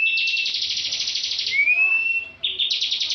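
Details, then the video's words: Bar-winged prinia, a competition bird in full continuous 'ngebren' singing style, often a winner at national contests: rapid buzzy trilled bursts, then a long thin rising whistle, then more fast chattering trills. "Ciblek ngebren full"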